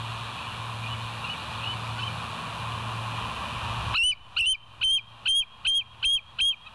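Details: A bald eagle calls from the West End nest, recorded by a live cam on 28 August 2023 at 07:02. Faint distant piping notes come first, then a loud, even series of eight shrill chirping whistles at a steady fast pace.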